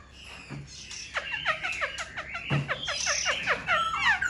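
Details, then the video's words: A caged Black-throated Laughingthrush fanning its tail and wings gives a dense, fast sequence of short downward-slurred notes, several a second, rough and overlapping, with some higher whistles mixed in. "Khướu bạc má VIP đuôi xòe, múa cánh giọng cực hay"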